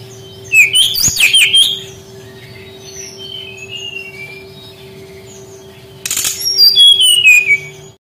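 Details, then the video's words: Lure song of a brown-chested jungle flycatcher, meant to prompt young wild-caught birds to sing: two short bursts of high, jumbled twittering notes separated by a quiet gap, with faint thin chirps and a constant low hum. "SUARA BURUNG SRDC PANCINGAN PANGGILAN SRDC BAHAN MUDA HUTAN MALAS BUNYI"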